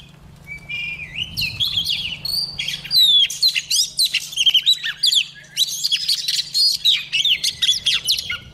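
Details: A female white-rumped shama sings to provoke the males into singing: a continuous, varied stream of rich whistles, sweeping slides and quick trills, growing denser and more energetic.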